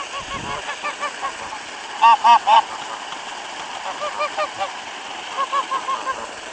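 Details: Geese receiving bread near a waterfall on a cold 26 February 2013; distant soft honking throughout, broken by three loud closely spaced honks, over a constant rushing background.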